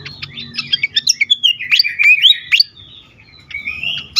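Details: Agitated fantail, its song used to lure and stimulate birds: rapid sharp chirps leading into several loud upslurred whistles, then a thinner drawn-out whistle near the end.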